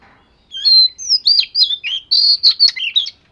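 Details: Oriental magpie-robin, scaly form, training its voice with a lively phrase of rich whistles, upslurs and downslurs, about eleven notes packed into under three seconds, clean and loud against silence.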